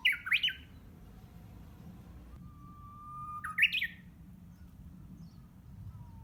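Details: Unseen Japanese bush warbler practising its song in June in greenery behind a house: a long, flat whistled note followed by a quick burst of sharp, jumping notes, with an earlier short burst, over a low rumbling background.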